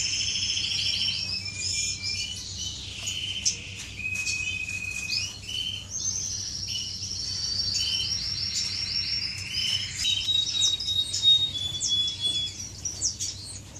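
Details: Finches courting inside an aviary, recorded on 10 May 2015: high, bright song of buzzy harmonic notes, sustained whistled tones and quick chattering trills, overlapping chirps almost continuously, with a low steady hum underneath.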